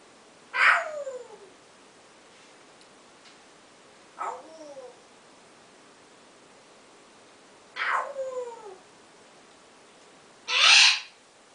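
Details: Captive African grey parrot practising its new favourite 'owww' sound: four drawn-out wailing calls that slide downward, spaced a few seconds apart, the last a louder, harsher burst, in an otherwise quiet room.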